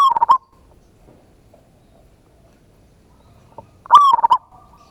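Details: Local zebra dove with a big voice sings a lure song to draw a response, ngayer kerot nutut style. A clipped phrase ends at the start, then a long pause before another burst of quick, stuttered cooing notes.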